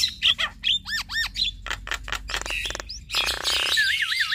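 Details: Duetting Javan mynas, a male and a female, produce looping up-and-down whistles, sharp clicks, a harsh rasping burst and a rolling wavering trill at the end.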